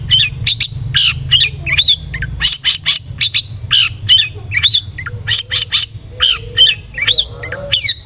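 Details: Long-tailed shrike used as a lure to excite aggressive singing: busy chattering song of clipped notes and short whistled slurs, fairly evenly spaced over eight seconds, with low background hum early on.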